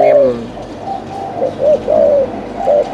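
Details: A captive decoy spotted dove from Phú Yên, Vietnam, cooing after it sees a wild bird. It gives soft, low, hollow coo notes in short groups, with brief pauses between them, against a quiet background.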